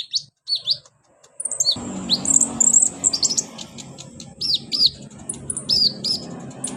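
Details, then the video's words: Kolibri ninja sunbird singing, used as therapy to get a lazy kept bird singing: very high thin whistles and hooked slurred chirps, quick and irregular, over steady background rumble. "KONIN TERAPI konin malas bunyi Insya Alloh cepat ikut bunyi"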